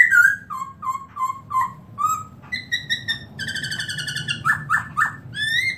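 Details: Melodious song of a Black-throated laughingthrush, 2017: a run of short descending whistles, then level buzzy notes, a rapid stuttering trill and final upswept whistles, delivered briskly over about six seconds with faint background hum.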